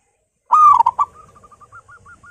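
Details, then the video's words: Zebra dove kept at home, a keen loud singer whose recording serves as a lure for other doves: one strong rolling coo, then a train of short soft notes repeating steadily and slightly rising. "PERKUTUT LOKAL GACOR PALING GACOR SUARA BESAR"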